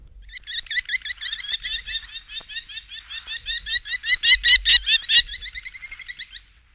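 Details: Merlin (Pigeon Hawk) gives a fast, shrill chatter of sharp notes, about two per second and rising in intensity, with faint clicks in the background.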